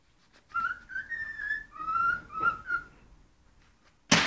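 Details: Hungry pet cockatiel whistling a melodic run of clear notes, a rising phrase then level and falling tones, over faint background hum, ending with a sudden loud rustling bang.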